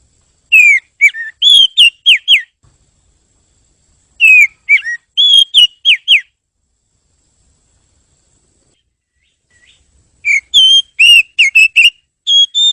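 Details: Oriental magpie-robin (kacer) song used as a master recording for training other birds: bursts of clear, sweet whistled notes, rising and falling, in phrases of about two seconds separated by silent gaps; no other sounds.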